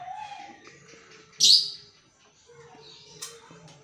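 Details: Caged black-naped oriole, a pet heard at dawn, utters a short harsh, scratchy nasal burst, with a weaker second rasp two seconds later over faint indoor background sounds.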